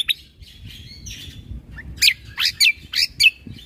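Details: Cucak kombo in a lively, rapid 'full isian tembakan' song, used for training caged birds: soft scattered chirps, then about five sharp, bright, high whistled notes in quick bursts near the end, over faint low background noise.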